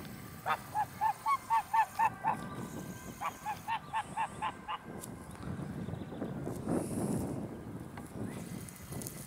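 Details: Domestic goose lunging in attack on 28 April 2013, its female sitting on a nest a little farther on; rapid harsh nasal honks about four per second in two bursts of roughly eight and six, followed by rustling and handling noise.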